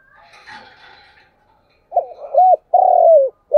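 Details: Spotted dove used as a morning lure call to draw wild doves near home: a harsh, rattled opening followed by a loud cooing phrase of rising-falling notes, the last note drawn out and sliding down, with faint chatter at the start.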